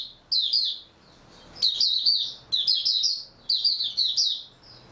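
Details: High, lively twittering from an oriental white-eye on 3 March 2022; four separate bursts of rapid, sweet notes about a second apart, ending in a thin trailing note.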